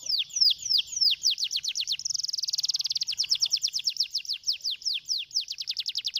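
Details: Stimulating song of a canary: quick series of high falling whistles, a dense rattling trill in the middle, then more evenly repeated sweeping notes.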